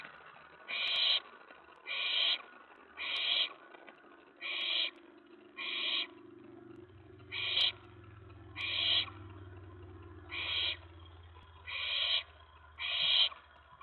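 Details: Nest-box owlet on the night of 19 May 2017, agitated when another owl lands on the tray after a mouse delivery; eleven short, evenly spaced harsh hisses roughly every second, over a low background hum.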